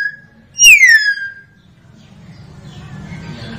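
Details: Common hill myna giving a single loud, clear whistle that slides steeply downward and trails off. A low hum and faint noise follow.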